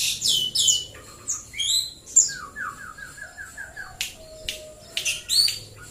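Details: White-rumped shama singing in the morning: sharp high chirps and squeaky notes, then a quick run of about eight descending whistled notes, with scattered clicks and a low hum underneath.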